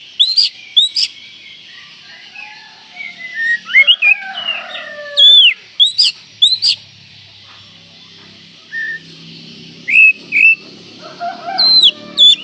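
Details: Oriental magpie-robin giving a call said to excite other magpie-robins: short, piercing whistled notes in small groups, with scratchy downslurred chatter early on and quiet gaps between phrases.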